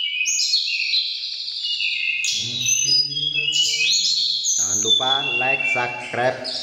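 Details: Mountain tledekan birds in a voice contest: loud high whistled phrases flowing continuously, while a man speaks in the background through the second half.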